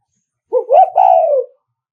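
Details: Spotted dove luring call meant to provoke rival males: a brief low note followed by a rising then long, gently falling warbled coo lasting about one second, clean and unaccompanied.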